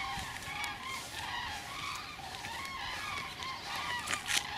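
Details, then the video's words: A large migrating flock of common cranes passes over a bee yard on 1 November 2015, giving loud, rolling trumpeting calls that overlap continuously, many birds calling at once, over faint traffic hum. "Die Kraniche ziehen"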